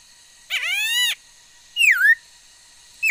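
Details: Varied song of a female laughingthrush, 13 August 2021: a long harsh rising note with many overtones, then a loud swooping whistle that dips down and curls back up, against a faint hum.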